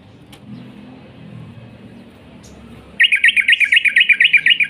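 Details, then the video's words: Quiet background, then a Sooty-headed bulbul starts a fast, even run of whistled notes, about a dozen in under two seconds, in long rolling 'ropel' style used to lure other birds into song. "burung trucuk gacor ROPEL PANJANG pancingan trucukan"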